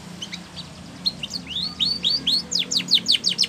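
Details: Spanish Timbrado canary song for training canaries: soft start, then rising whistled notes building into a fast series of sharp, repeated downward-sweeping chirps, growing louder.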